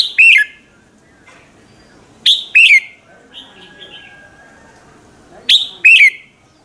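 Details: Red-whiskered bulbul singing in the morning, a lure recording for prompting other bulbuls to sing. Three short loud phrases of two or three sweet notes, each ending in a falling slur, come roughly every two to three seconds.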